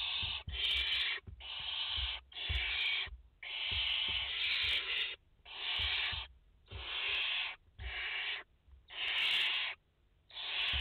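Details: Nesting barn owls in France, a mother with four chicks, August 2021; loud, near-continuous rasping hisses, about ten long bursts overlapping from several birds, with faint knocks beneath.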